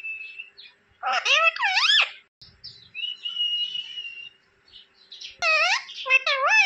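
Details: Indian household rose-ringed parakeet uttering a flat whistle, then wavering harmonic word-like sounds, a long soft whistled phrase, and a final burst of rising and falling squawky syllables.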